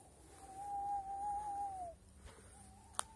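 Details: An owl at about 7 p.m. on a chilly (+7°C) March evening, as other birds fall silent and owls fly out, gives one long, steady hooting note of about 1.5 seconds, dropping slightly at the end, then a softer echo and a sharp click.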